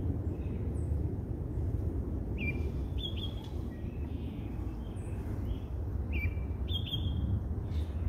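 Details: An American robin at Roberts Bird Sanctuary sings short, clear whistled phrases with a slight rise and fall, in pairs a few seconds apart, over a steady low rumble of traffic.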